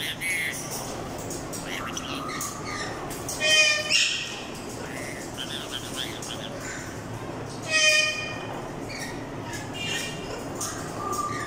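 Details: A male and female grey parrot pair give two loud, harsh squawks with ringing whistled overtones about four seconds apart, with softer short whistles between, over a steady background hum.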